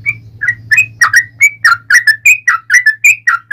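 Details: Yellow-vented bulbul singing its fighting song to draw answers from other bulbuls: sweet, liquid notes that start spaced out and speed into a rolling series, over a steady low hum.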